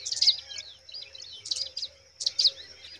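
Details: Young pipits in their nest make three short bursts of shrill, squeaky chirps about a second apart. A thin, constant high-pitched tone runs beneath them.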